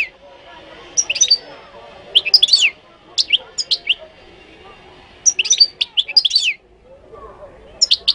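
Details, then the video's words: Moroccan goldfinch singing: bursts of bright, tinkling twittered phrases high in pitch, each lasting about a second, separated by short pauses, over a quiet low background murmur. "تغريد الحسون المغربي chant de chardonneret marocain"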